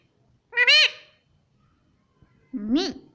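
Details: Pet Indian ringneck parrot, kept indoors, taught to say mummy and papa in Hindi; two voice-like syllables, the first high and harmonic, the second lower and rising then falling, with a pause between.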